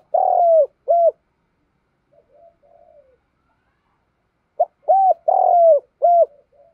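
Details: Caged decoy spotted dove cooing to draw in wild doves, giving loud, slightly rough coos, a long note then a short one, soft warbling murmurs in a pause, then a quick burst of four coos.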